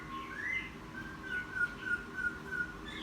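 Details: Newly caught wild laughingthrush, kept ten days and now singing freely, gives clear whistled notes held level and slightly falling, several short whistles in quick succession against a low steady hum.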